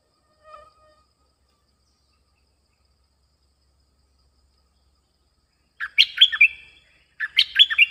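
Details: Streak-eared bulbul calling on a bird-luring recording: after a brief faint note and a long pause, two loud, fast bursts of chattering, warbled chirps come about a second apart.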